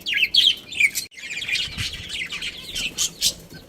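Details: Budgerigar breeding pair kept as pets, giving busy high chirps and warbling twitters with short scratchy notes, dense and continuous apart from a brief pause near one second.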